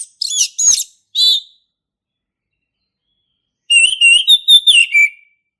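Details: Male orange-headed thrush from the forest, singing: a few quick high slurred notes, a pause of two seconds, then a burst of rapid rising and falling whistled phrases.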